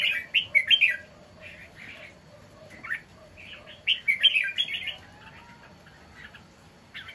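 Red-whiskered Bulbul singing loud, bright, bubbly warbled phrases in quick bursts, pausing between them; a faint thin whistle runs underneath.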